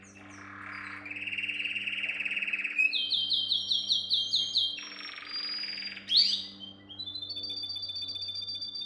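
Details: Canary song meant for training young canaries: a long buzzy roll, then a higher bright rattling trill, a drop to a lower churr, a sharp upswept note and a thin high repeated trill, over a faint steady hum.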